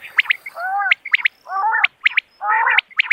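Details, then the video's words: Common quail alternating crisp high double notes with drawn-out, gently arching, nasal harmonic calls, three cycles in a few seconds. "بٹیر کی صاف آواز | Common Quail Calling Sound"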